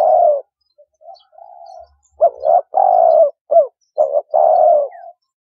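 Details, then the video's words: Spotted dove calling, a sound used to lure birds into traps. A long coo is followed by a soft, quiet coo, then a run of clipped double notes and long husky coos. "Cu Gáy Kích Bổi 2020"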